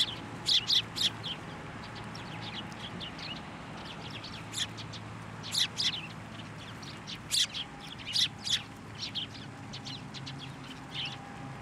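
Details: At Tenmangu shrine on 17 January 2024, sparrows flying to a hand for food keep up a chatter of short high chirps, some loud and close, others fainter, with low background hum throughout.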